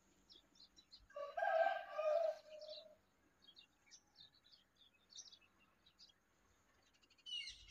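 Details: Bulbul feeding its chick and cleaning up mess at the nest; a loud, harsh, buzzy call with stacked overtones lasting about a second and a half, followed by soft scattered high chirps and a brief thump at the end.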